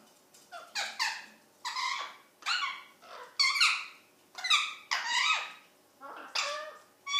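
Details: Pet Indian ringneck parakeet being vocal indoors, giving loud, harsh, rising squawks one after another, about one each second, with quiet gaps between them.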